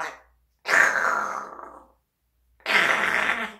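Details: Pet parrot uttering two long, harsh, raspy screeches like a drawn-out 'kyaaa', each lasting over a second, separated by a short silence, indoors.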